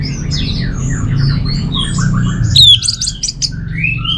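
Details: Orange-headed thrush (anis merah) from northern Bali, Singaraja: a quick run of short descending slurred whistles, then a bright rising whistle and sharp squeaky notes, over a constant low hum.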